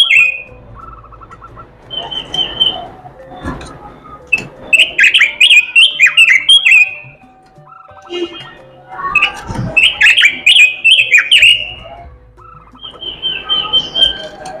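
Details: Singing robin with filler phrases: repeated bouts of loud, rapid chattering and whistled flourishes alternating with quieter sustained notes and noisy gaps, the bird delivering its song in several long bursts.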